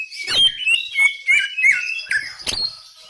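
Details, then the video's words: Greater green leafbird singing vigorously, with continuous loud, high whistled slurs, mostly falling, broken by sharp chip notes in a fast, uneven rhythm. "BURUNG CUCAK IJO GACOR"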